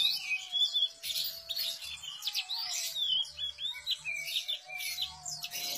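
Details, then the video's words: Energetic gacor song of an Enggano white-eye. Dense bursts of high, thin chirps and trills come in quick succession with short pauses between phrases, over a faint constant tone and low hum. "burung pleci enggano gacor"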